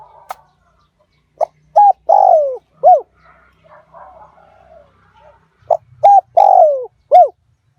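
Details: Decoy spotted dove of a fierce strain, 'liu tan' style call meant to draw wild doves in quickly: two four-note coo phrases, each a short note, a flat note, a long descending burred coo and an arched ending, separated by faint distant coos.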